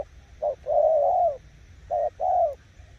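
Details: Spotted dove kept as a decoy bird, cooing with a short note then a long, smooth, drawn-out coo, twice in quick succession.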